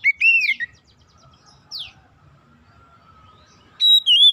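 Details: Oriental magpie-robin song used as a lure to make untrained magpie-robins start singing quickly: a loud, rich whistled phrase with slurred notes, then a lone falling sweep, a quiet pause, and a final bright two-part whistle.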